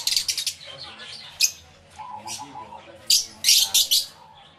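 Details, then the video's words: Lovebirds in a busy aviary, caught on a camera fitted with two external microphones; harsh high squawky chirps in short bunches, a quieter lower murmur in between, ending in a cluster of loud shrill notes. "1 Hour Lovebird Sounds Aviary Series V1"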